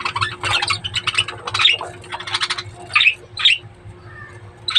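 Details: Budgerigars kept for breeding give a run of harsh, buzzy squawks in quick bursts, then a few sharper rising chirps with short pauses; a steady low hum sits underneath.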